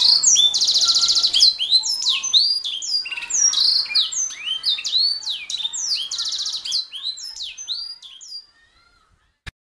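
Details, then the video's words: Canary singing as a master recording for songbird training: continuous rapid high chirps and whistled slides with rattling trill bursts, fading out after about eight seconds, then a single click. "MASTERAN KICAU MANIA - Suara Burung Kenari | Gacor"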